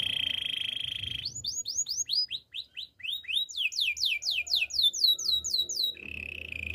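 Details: Singing Spanish timbrado canary, training song: a steady rolled tone, then a series of rising swooped whistles repeated about twice a second, quickening into a bright run before a low rolling trill returns.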